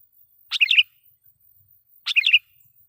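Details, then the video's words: Sooty-headed bulbul lure song, loud and provocative to wild birds: two rich, bubbling phrases of rapid warbled notes, about one and a half seconds apart. "suara pikat KUTILANG GACOR /kutilang suara keras,membuat kutilang liar EMOSI"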